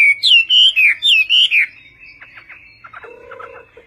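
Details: Chinese hwamei, Vietnamese song style, six loud looping whistles in quick succession, followed by quiet clicks and a brief lower tone.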